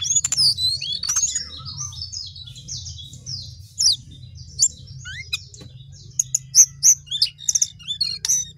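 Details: Sooty-headed bulbul in a long, lively song, a fast chatter of high squeaky notes giving way to spaced, sharp, bright chirps several per second, with a soft low hum behind.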